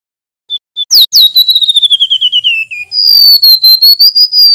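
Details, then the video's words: A male Golden-bellied Gerygone sings loud, thin, high, pure whistles: two short notes, then a quick falling trill of about a dozen notes and a long wavering whistle. "Suara Burung SULINGAN MINI (Remetuk Laut) GACOR NGEROLL MERDU"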